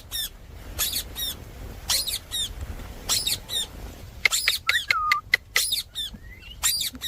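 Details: Indian ringneck parakeet giving well-spaced rasping screeches roughly once a second, followed by a tight cluster of sharp calls and a whistled note that drops and levels out.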